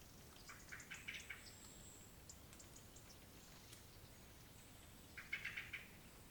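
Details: Angry Eurasian blackcap giving two short bursts of hard, clicking tack notes, about four in quick succession each, separated by a pause of several seconds, over a steady background hiss.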